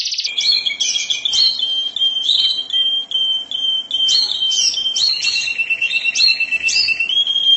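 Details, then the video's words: Canary song in the 'mabok teler' style: a long steady whistled tone with shrill chirps and short bursts layered over it, ending in a rolling trill, set against a noisy, busy background. "Suara burung kenari mabok teler"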